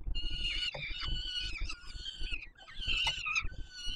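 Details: Young peregrine falcons begging as the male brings food at the Palace of Culture and Science, Warsaw, 7 July 2022; drawn-out rasping whining cries, several overlapping, with a short gap mid-way and low rumble beneath.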